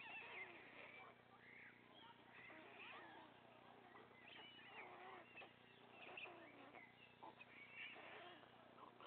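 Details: White stork nest with a father feeding his three remaining chicks: a continuous jumble of harsh mewing and squeaking calls, evenly loud throughout, with scratchy clicks, over a steady low hum.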